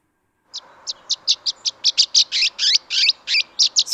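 A swallow gives a quick run of about a dozen high, sharp chirps, roughly three per second, growing longer and fuller. A faint low hum lies underneath.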